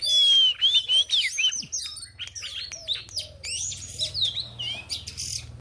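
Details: White-rumped shama female used to stimulate fighting birds: a long wavering whistle opens, followed by rapid mixed chattering, sharp clicks and slurred whistled notes, with a faint low hum beneath.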